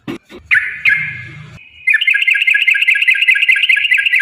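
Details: Yellow-vented bulbul in lively 'gacor' form delivering the long rapid 'ropel panjang' style, used as a lure to provoke other bulbuls to sing: a few loose chattered notes, then a continuous fast, even, buzzy trill running steadily to the end.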